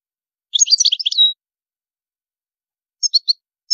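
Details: European goldfinch singing in a high-pitched style: a rapid tinkling burst of twittering notes for under a second, then a short pause and three quick high chirps, with one more note cut off at the end. The background is silent.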